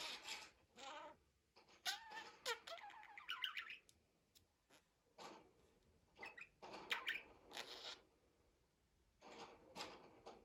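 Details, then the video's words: Pet budgerigar in talking mode: a fast run of rising, twittering warbled notes, then breathy speech-like syllables and scattered clicks with short quiet gaps. "MUHABBET KUŞU | DİNLET KONUŞSUN"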